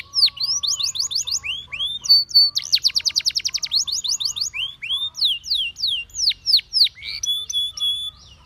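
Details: A canary sings to draw other canaries into singing. Varied song: quick whistled slurs, then a fast, even, rattling trill, then looping swept notes, over a steady lower whistle held through the first half.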